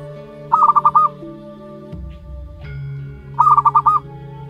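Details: Zebra dove chick aged one month, local wild stock, calls in two brief runs of rapid, broken notes roughly three seconds apart, while steady music plays in the background.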